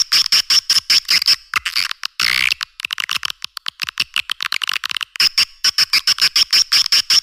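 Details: Lure call for edible-nest swiftlets, meant to draw birds to caves and farming houses: rapid high clicking chirps in regular bursts, a brief louder buzzy rasp near the middle, then the clicking resumes.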